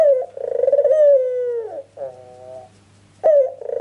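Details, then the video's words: Ringneck dove lure call: a pulsing coo that sinks gradually in pitch, a short level tail, a pause, then the sharp opening note of the next coo. "PANCINGAN TERCEPAT BURUNG PUTER FULL GACOR"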